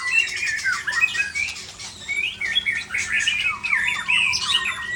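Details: White-rumped shama flicking its tail while pouring out its song repertoire: a rapid, unbroken stream of varied high whistles, sweeping slurs and chattering trills, with bright rising and falling notes throughout.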